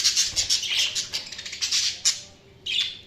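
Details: Budgerigar chirping up close: quick series of sharp, buzzy high chirps and squeaks in rapid succession, then a brief pause and one more harsh chirp.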